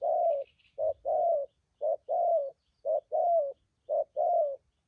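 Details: Good-voiced wild-caught spotted doves from Vietnam in 'thúc gù' cooing. Each phrase joins a short coo to a longer falling one, repeated four times at an even pace, with a brief high twitter at the start.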